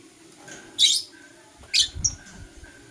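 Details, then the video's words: In the morning, green and blue masked lovebirds give two harsh, high, grating chirps about a second apart, with a low thump after the second one. "Lovebird Singing and Chirping Sounds - Green & Blue Personata"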